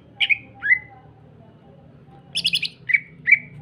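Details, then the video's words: Greater green leafbird singing as a lure to get other leafbirds calling: two slurred whistles, a quick rattled chatter of stacked notes, then two clear downslurred whistles, with a steady low hum behind. "Pancingan handal burung CUCAK IJO gacor merangsang cucak ijo lain bunyi."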